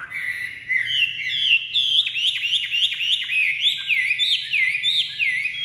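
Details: Caged Chinese hwamei, just released from its transport box, sings steadily: a rich stream of loud whistled phrases, many sharply down-slurred notes repeated rapidly, with faint low background hum.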